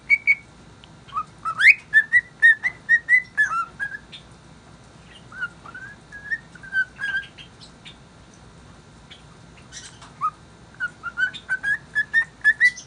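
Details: A cockatiel happily whistles a tune of clear notes, some rising and some falling, in bursts about two per second with short pauses between phrases.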